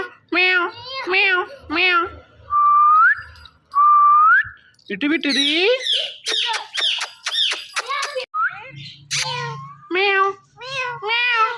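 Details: Pet ringneck parrot indoors, talking to a phone; a series of harmonic, nasal meow-like imitations with two clean rising whistles, then rapid clicking notes and more meows. Soft music plays underneath.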